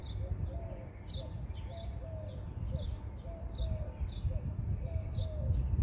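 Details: A dove sitting on a house chimney gives soft, low cooing notes in short repeated phrases, echoing down the chimney flue into the home, half buried under a steady low rumble, with thin high chirps from small birds.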